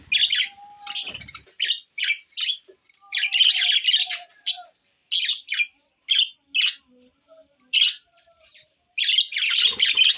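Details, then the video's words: Budgies, parrots recorded June 20, 2024, giving short squawky chirps in quick bursts with brief pauses between, some scratchy and some faintly whistled, in a quiet indoor setting. "Budgies Parrot so Bueatiful sounds"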